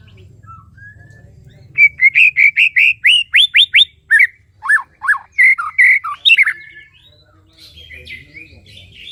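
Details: White-rumped shama in breeding condition at a captive breeding aviary in the mating season, delivering a fast burst of loud whistled and chattering notes, about two to three per second for nearly five seconds, then quieter; low background hum.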